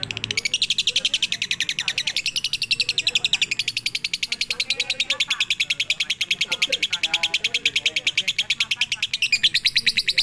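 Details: Lovebird song in a full pigter style, used as training audio suited for night: a long run of rapid, sharp high chirps at a steady pulse, with faint lower murmuring underneath.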